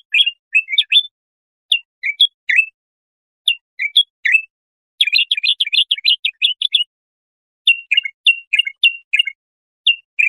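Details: A bulbul's tutoring song for goldfinch chicks: scattered whistled chirps, then a dense, rapid burst of warbling notes, followed by evenly spaced slurred whistles on a silent background.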